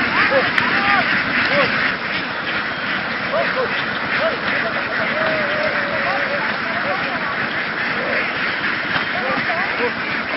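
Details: Vietnamese laying ducks, a large flock roaming the fields as they are moved onto a boat; many short, nasal quacks tumble over one another in a constant, busy babble under a noisy, rushing background.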